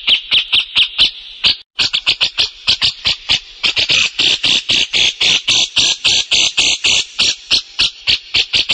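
A grey-cheeked bulbul gives a fast, harsh chatter of high, scratchy notes, about four each second, continuing steadily with no other sounds.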